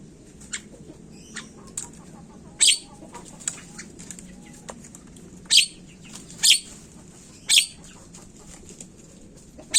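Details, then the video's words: Javan myna lure recording for getting birds to call fast: scattered thin chirps early, then five loud rasping squawks in the second half, with hiss throughout. "Pancingan burung jalak Kebo cepet bunyi"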